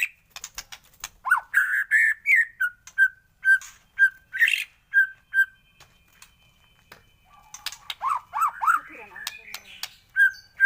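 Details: White-rumped shama singing in the morning: a series of short looping whistles and steady notes, then a pause with faint clicks, then more swooping whistled phrases.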